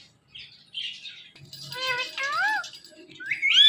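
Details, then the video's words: Pet parrot talking, calling "Mithu Mithu": a string of squawky, voice-like syllables with sweeping harmonic bends, ending in a rising shrill note. "Speaking Parrot Calling Mithu Mithu"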